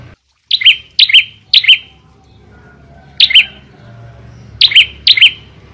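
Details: Loud, vigorous singing from a red-headed prinia: piercing high chirps, mostly in close pairs, a cluster of three, then a gap and three more, with faint low hum behind.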